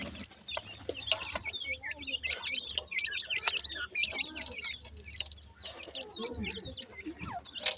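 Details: Rapid, high, chirpy peeps from many black francolin chicks run almost nonstop, punctuated by ticks and rustles over a low hum.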